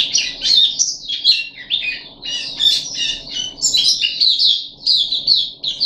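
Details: Caged puff-backed bulbul, 14 July 2021, on the third day of deworming, pours out a busy jumble of chirps, squeaky slurs and sharper ringing notes that swell and fade in waves over a quiet indoor hum.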